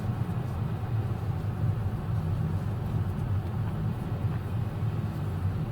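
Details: Steady low rumble of traffic or engine noise throughout, with no animal sound heard.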